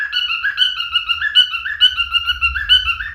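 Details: Steady warbled whistling from a male cockatiel, repeated two-pitch notes in quick succession, over a faint low rumble.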